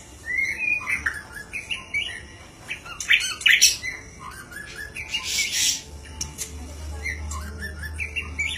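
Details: White-rumped shama in 'gacor' song: scattered whistled and chattering phrases, some rising, some harsh and noisy, over a steady low hum and background noise.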